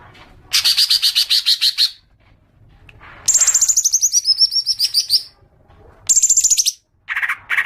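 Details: Common green magpie lure call intended to set off long chattering: repeated rapid buzzy rattles, each a dense series of pulses lasting one to two seconds, separated by short gaps, ending with two harsh bursts.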